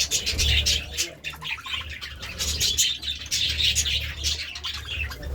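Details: Budgerigars at a meal of seeds and vegetables produce rapid, overlapping chirps and twittering warbles, many notes per second, steady and loud throughout.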